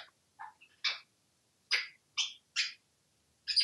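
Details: Talkative male African grey parrot kept indoors in Texas makes a series of short, soft chirps and clicks, roughly every half second, with gaps between bursts.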